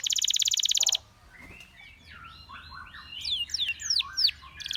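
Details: Canary singing: a loud, fast, high trill for the first second, then softer, varied slurred whistles and downswept notes that grow louder toward the end, over a low steady hum.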